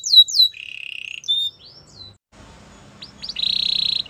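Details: Canary song meant to encourage other canaries to sing: a few downslurred whistles, a steady trilled roll, scattered chirps, a short gap, then a fast buzzy trill.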